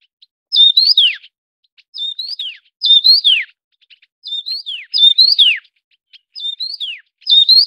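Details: Taiwan yuhina, feeding chicks, calls steadily: about eight clear high whistled phrases, each a level note bending up then sliding down, repeated roughly every second with little background sound.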